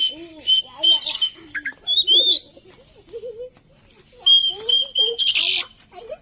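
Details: Oriental magpie-robin song used as a lure to get other birds singing along: bright high whistled notes, some sliding upward, broken by short harsh buzzy bursts, over softer lower warbling notes in the background.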